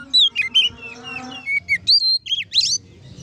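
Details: Oriental magpie-robin singing ngeplong to provoke other magpie-robins. Sharp whistles and downward slurs come first, then rising and warbled notes, with a steady low tonal hum beneath the opening half.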